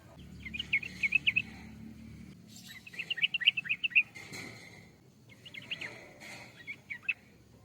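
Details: Sooty-headed bulbul song: three bursts of rapid, bright chirping notes, each burst about a second long, separated by short pauses, over faint low background rumble.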